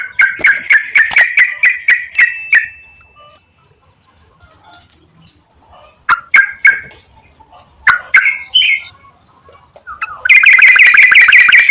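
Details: Sooty-headed bulbul lure song played to encourage singing. Bubbly, slurred notes repeated in a quick run, then a pause with scattered single notes, ending in a loud, dense burst of chatter.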